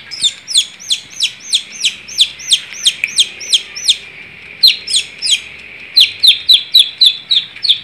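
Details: Long-tailed shrike singing vigorously: a fast series of sharp, downward-hooked whistled notes, about three or four per second, with a short pause mid-phrase before the rapid notes resume.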